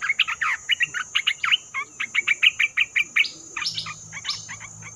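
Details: Bulbul lure recording for trapping, with a rapid series of loud, bright, slurred chirps repeated about four times a second, then a few higher swooping notes near the end.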